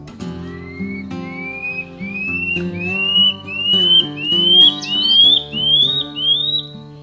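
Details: Common Scale-backed Antbird, a common antbird that sings often in the shrubby understorey of the Amazon rainforest, gives about nine clear whistled notes, each slurring upward, climbing steadily in pitch over roughly six seconds, with soft guitar music underneath.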